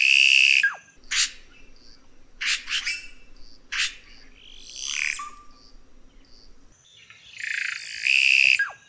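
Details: Red-rumped cacique song with loud, drawn-out harmonic notes at the start and end. Between them come rapid sharp clicks and a harsh rasping phrase over a steady low hum.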